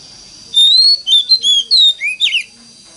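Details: Oriental magpie-robin singing a lure song in wild-forest voice to coax other magpie-robins into song: loud, pure whistled notes, a long level one followed by shorter slurred phrases and a final quick twisting flourish.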